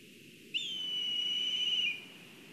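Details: Black kite at a nest in Kurzeme, Latvia, during a food delivery, on a live nest camera: one long, clear, high whistle held steady for about one and a half seconds, ending in a slight waver, over faint low background hiss.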